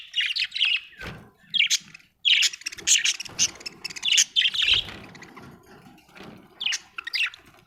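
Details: Budgie chirping, dense and overlapping: sharp high tweets and chattering warbles fill the recording over a noisy, rustling background with several dull thuds.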